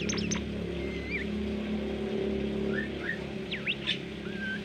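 Golden-bellied Gerygone giving thin, high whistles, some slurred and wavering, others sharply upswept, spaced irregularly over a steady low mechanical hum.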